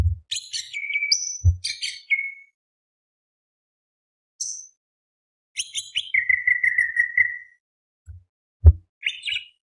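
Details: Greater green leafbird in full song, delivered as a training lure, with bursts of harsh, dense buzzy phrases mixed with clear whistled notes, including a long whistle slurring downward; low thumps and pauses between bursts.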